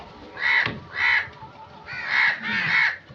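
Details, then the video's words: Crow giving four harsh, drawn-out caws in two pairs, each about half a second long, over a quiet background. "Crow Sound"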